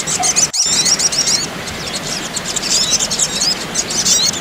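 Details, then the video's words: Crimson sunbird, female and male, noisy calling used to soothe a stressed bird: dense, very high, thin squeaky chirps and quick rising and falling whistled slurs, overlapping continuously, with steady background hiss and one sharp click. "Terapi burung kolibri Sogok ontong/sogon supaya tidak setres"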